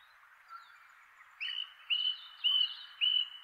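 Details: Male song thrush calling from a chestnut tree top in inland Kapiti, New Zealand, on 25 March; a soft note, then four loud clear whistled phrases repeated about every half second.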